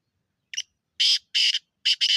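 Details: A single grating call from a black francolin: a quiet short lead-in note, then loud scratchy bursts, the last two close together, heard against silence.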